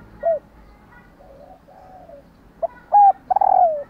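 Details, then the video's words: Female spotted dove calling to stimulate males to coo: a short soft coo, quieter murmuring notes, then a pair of clipped coos and a longer, loud, descending drawn-out coo. "Tiếng Cu Mái/ cu mái kêu kích chim cu gáy trống gáy theo"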